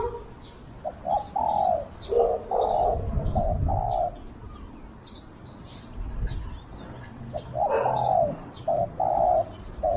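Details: Decoy spotted dove used to lure wild doves, its low coo phrases broken up amid rustling noise, thumps and light high chirping from other birds.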